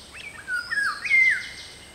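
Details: Indian golden oriole call: a brief liquid whistled phrase of three slurred notes stepping upward, the last note longest and falling away, with faint high twittering from other birds behind.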